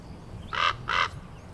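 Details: A territorial male common raven, whose mate is on eggs in the nest, gives warning calls after juvenile ravens land in the territory in mid-March 2023: two harsh, croaking caws about a third of a second apart over faint low rumble.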